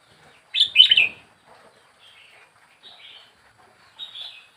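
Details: Caged four weeks after capture, a young wild red-whiskered bulbul sings a loud rapid warbled phrase, then scattered quieter short whistled notes.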